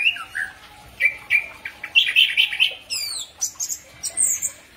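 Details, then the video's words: Chestnut-capped thrush chirping at night: varied whistled and warbled phrases with bright trills, some notes rising very high, delivered in short bursts with brief pauses. "Punglor,anis merah,Zoothera interpres"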